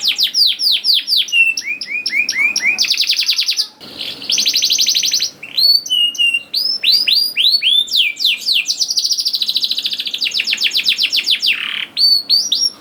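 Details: Lure song of a canary for getting young canaries to sing: fast series of rising whistled notes, rattling trills and buzzy rolls in a steady, energetic stream.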